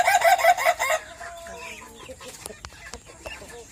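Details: Laughing chicken (Ayam Ketawa) in Meulaboh, owned by its keeper, gives about one second of quick, choppy, pulsed crowing, then quiet background with scattered clicks and faint noises.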